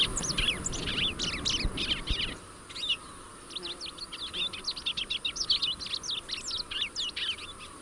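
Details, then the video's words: Rusty-collared seedeater delivering rapid, high chattering and sweeping notes in two bursts separated by a short pause, with some low rumbling noise in the first part. "Canto do Coleiro do Brejo Sporophila Collaris"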